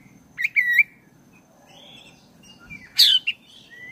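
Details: Song of a black-breasted oriental magpie-robin, meant to provoke caged birds into singing: a quick fluted whistle, quieter warbling, then a sharp descending burst and a brief rising whistle, low hum underneath.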